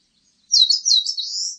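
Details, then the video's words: Eastern crowned warbler song, loud and close: several rapid, high, jumbled chirps run into a long, buzzy, drawn-out final note that is still sounding as the recording ends. "산솔새, 여러번 듣기, 곤충소리, 새소리"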